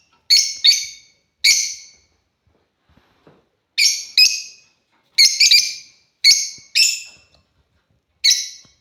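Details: African lovebirds give shrill, harsh chirps in short bursts, about ten over nine seconds, some in quick pairs, with silent gaps between.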